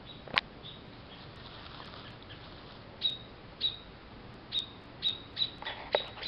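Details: American robins squawking as they dive-bomb a cat beside a storm-blown nest with a fallen chick, South Western Ontario, June 21, 2012; sharp high chirps, one early then a run of six or seven over the last three seconds, over windy background.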